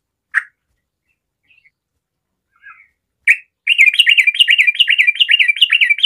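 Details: Sooty-headed bulbul (trucukan) in lively 'garuda' singing, used to prompt other bulbuls to sing: a few isolated chirps, then a fast run of looping, bubbly whistled notes repeated about two to three times a second, with nothing else heard.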